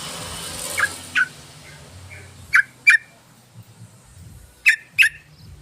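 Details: Yellow-vented bulbul used as a lure to attract others: sharp, bright notes given in pairs, three pairs spaced about two seconds apart, with a quiet low hum behind.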